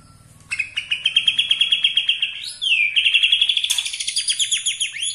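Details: Borneo-type white-rumped shama singing to make rival shamas angry: fast, even run of bright ticking notes about four per second, briefly broken by a rising whistle, then resuming.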